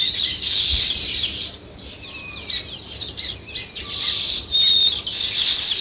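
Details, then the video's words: Sparrow flock chirping in bursts of busy high chatter separated by quieter moments, with thin whistled notes and a few brief rising slurs. "Sparrow Chirping"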